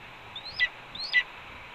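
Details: Red-tailed hawk calling at a Cornell nest as its mate eats a pigeon. Two rising whistles end in short rough bursts over a steady background hiss.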